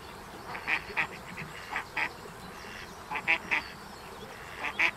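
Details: Female mallard struggling to keep her brood of ten young in order, giving short, nasal quacks in loose bursts of two or three, about eight calls in five seconds, over a steady background hiss.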